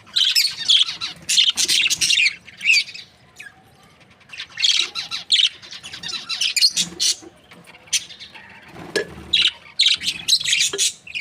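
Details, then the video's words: Budgies from breeding pairs of this Australian parrot chattering busily: dense runs of scratchy, high warbling chirps in long bursts, pausing briefly before resuming. "Amazing budgies chirping sounds | Australian parrot breeding pairs"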